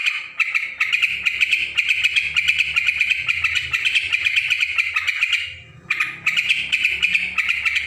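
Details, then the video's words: Yellow-vented bulbul singing noisily: dense, rapid chattering notes packed around a bright mid-high band, nearly continuous, with a brief pause near the end before the busy chatter resumes; faint low rumble underneath. "suara trucukan ribut"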